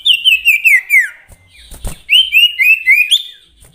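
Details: Common iora, known as sirtu or cipoh, whistling two short phrases of four or five clear descending slurred notes each, separated by a dull thump.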